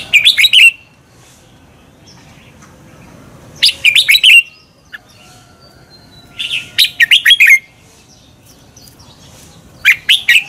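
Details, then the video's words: Red-whiskered bulbul song used to stimulate other birds into competitive singing: loud bursts of four or five sharp, warbled notes sliding downward, repeated roughly every three seconds with quiet gaps between. "Luyện chào mào hót sáng Giọng xoắn kép hay KÍCH CHIM CĂNG HÓT ĐẤU"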